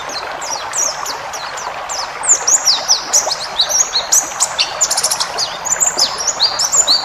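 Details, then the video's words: Varied-phrase song of a pleci ngalas white-eye used to tutor caged birds: quiet scattered chirps at first, then from about two seconds a lively stream of high ticks and slurred whistles over hiss. "masteran burung pleci ngalas full isian"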